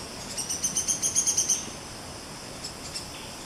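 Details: Buff-rumped woodpecker, Malaysian rainforest: a single quick series of about ten sharp, high-pitched notes that swells and fades within a second, followed by two faint isolated notes.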